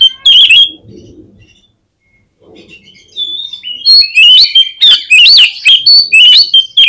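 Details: Lure song of an Oriental magpie-robin meant to prompt responses and tail-spreading: a brief whistled burst, a near-silent pause, then a fast run of loud, sweeping whistles and sharp notes.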